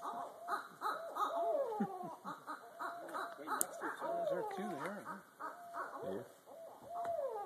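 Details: Two barred owls, called in, gather in trees overhead and trade wild, monkey-like cackles, hoots and sliding wails in a loud back-and-forth mating call, with steady insect buzz behind.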